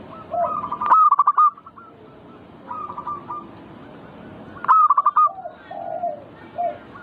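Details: Zebra dove (perkutut) song meant to provoke other doves into frequent singing: two loud phrases, each a sharp opening note and a quick run of rolling cooing notes. Fainter doves answer with similar phrases between them.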